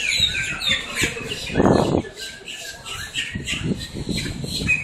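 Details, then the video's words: Blackbirds squawking up close in Miami, Florida: scattered harsh, high calls over a loud low rushing burst in the middle and a steady mutter of background noise. "blackbirds squawking"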